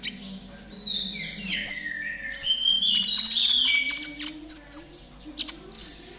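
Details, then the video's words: Konin trotol song used as therapy to get caged birds singing quickly: sweeping high whistles and descending slurred notes mixed with sharp chirps and clicks, over a steady low hum. "TERAPI KONIN TROTOL AGAR CEPAT BUNYI || MASTERAN KONIN TROTOL GACOR"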